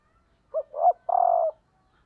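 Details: Close female spotted dove, a decoy calling to stimulate males, uttering two short rolling notes followed by a long, slightly buzzy coo.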